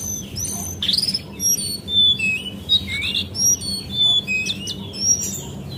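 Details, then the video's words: Female Javan white-eye lure call meant to make birds sing, heard as lively high whistled notes, some rising and some falling, tumbling in quick overlapping phrases above faint hum. "PANCINGAN BURUNG CINGCOANG CEPAT NGEPLONG DAN GACOR!! - Jongkangan Coklat"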